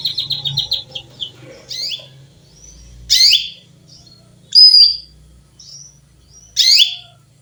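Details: Female canary chirping to call a male: an opening quick stuttering trill, then loud, piercing single chirps spaced one to two seconds apart, with a thin whistle between.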